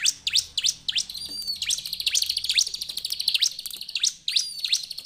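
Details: Bar-winged prinia in a dense burst of overlapping high chirps and sharp downward-sweeping notes, nearly continuous, with a thin sustained whistle threading through; several birds may be calling together.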